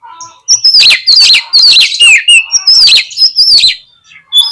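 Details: Oriental magpie-robin song used as a lure to provoke a fighting response in birds reluctant to fan their tails: loud, rapid bursts of high whistled, sweeping notes and sharp chips in quick clustered phrases with short pauses.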